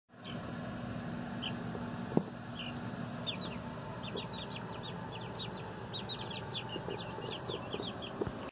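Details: Two-week-old Buff Brahma and Americana chicks kept on a homestead, giving many thin, high, downslurred peeps repeated rapidly over a steady broadband hum, with one sharp knock near the start.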